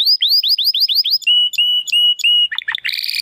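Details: Belgian canary with estralando song, quick rising swoops giving way to steady clear whistled notes repeated evenly, finishing in a buzzy trill.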